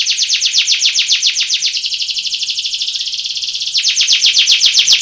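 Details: Belgian canary singing a contest training song: loud fast-repeated downward-sweeping chips, a smooth high rolling trill in the middle, then the quick sweeping chips return, about four to five per second.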